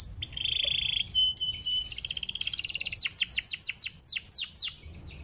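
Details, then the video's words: Panda canary singing, a song meant to draw out other canaries: a steady rolling trill, brief whistles, a rapid ringing trill, then a series of sharp descending chirps roughly five per second, over faint background rumble. "KENARI PANDA LAGU SYAHDU UNTUK PANCING KENARI"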